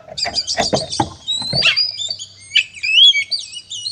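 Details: Kacer (oriental magpie-robin) singing its fighting song to rile other birds: rapid knocks and chips at first, then long high whistles and looping, upward-sweeping notes.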